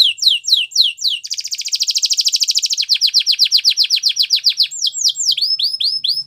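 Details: Singing Gloster canary for training young birds: falling whistled notes lead into a long, dense buzzy roll, then a brisk run of downslurred syllables and a few looping upswept calls at the close, in a quiet setting.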